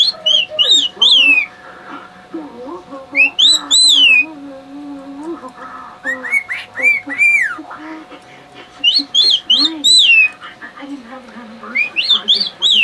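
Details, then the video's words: Male pet bird showing off to his mate in bursts of loud, high downslurred whistle phrases, with quiet warbling murmurs between bursts and a steady background hum. "Silly bird whistle"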